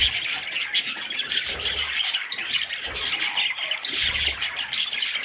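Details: Budgerigar chicks begging, a dense, continuous chorus of raspy, high squawking chirps overlapping without pause, with soft low thumps underneath.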